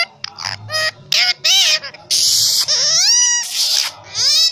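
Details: A pet Indian ringneck parakeet, a rescued bird, gives loud harsh squawks and rising, whistled screeches in short bursts separated by brief pauses.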